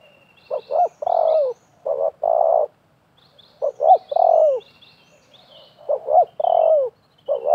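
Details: A wild and a decoy spotted dove contest each other's calls at a bird-trapping site: repeated three-part coo phrases, two short notes and a long dropping coo, overlapping slightly, with thin high chirping from other small birds.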